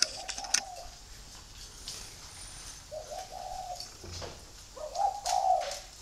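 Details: Free-range breeding spotted doves at Ba Vì, Hanoi, Vietnam, with soft drawn-out coos separated by gaps and a louder wavering coo near the end, plus a few clicks and low background hiss.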